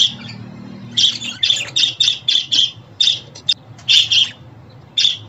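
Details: Budgerigar calling sounds to help a new pet budgie get used to its home: a second of quiet hum, then a string of sharp raspy chirps, closely spaced, thinning out toward the end.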